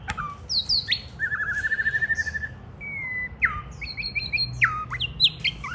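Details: White-rumped shama singing as a child plays with it and it pecks at the hand: bright downslurred whistles, a long even trill, then a held whistle and a string of quick rising and falling notes.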